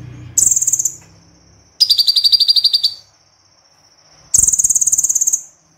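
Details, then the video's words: Konin, the crossbred white-eye, delivering three long, very high rattling trill bursts, each about a second, separated by thin sustained whistles and short pauses. "Konin Tembakan Kombinasi Extra Super Pedas - Konin Gacor Full Tembakan"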